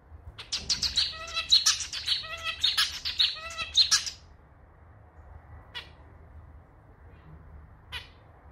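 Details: Zebra finch, a male with a unique clarinet-style song full of rhythm: about four seconds of rapid buzzy stacked notes with a repeated motif, followed by quiet background and two isolated short calls.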